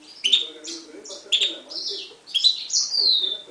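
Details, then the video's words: A 2011 Himalayan goldfinch × timbrado canary mule sings twittering chirps and slurred whistles, finishing on a long, loud falling whistle. "Mule 2011 Himalayan Goldfinch vs canary timbrada"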